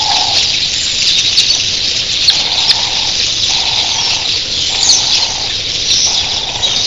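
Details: Dense high chatter from thousands of early-morning red-billed queleas sounds almost like surf, with a series of low, drawn-out coos repeated below it.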